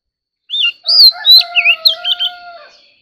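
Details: Competitive song of a White-rumped shama, an ornamental bird urged to sing: a short phrase of bright whistles, a loud downslurred note and warbled twists, over a low buzzy droning tone and a steady high hum.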